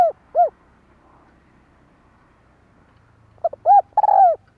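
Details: Spotted dove calling 'kích bổi' style to rouse decoy birds, 2023: an arched coo ending one phrase, a long pause, then a new phrase of quick notes, a rounded coo and a long slurred coo.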